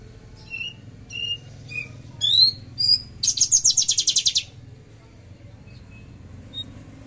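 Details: Branjangan javanica, the Javan bush lark, 13 December 2022, trotol and tembakan style: a few slurred whistles, two sharp upward-sweeping notes, then a fast, buzzy, high-pitched trill lasting about a second before fading to quiet.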